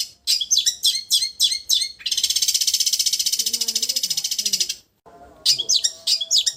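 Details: Cendet, or long-tailed shrike, singing 'raja getar': quick high chirped notes, then a nearly three-second steady trembling trill, a short pause, and more chirps; faint low wavering sounds behind.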